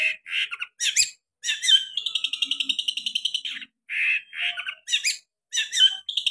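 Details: Long-tailed shrike in full song with sharp, varied phrases; loud harsh chattering bursts alternate with a fast run of rapid ticking notes repeated many times per second, then more scratchy, chirpy phrases and bright whistles.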